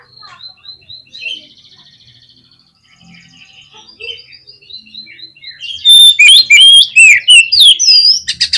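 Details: Oriental magpie-robin (kacer) song used to agitate other kacer. It opens with soft repeated high notes and a buzzy trill. About two-thirds in, it switches to loud, rapid, highly varied whistles and sharp notes.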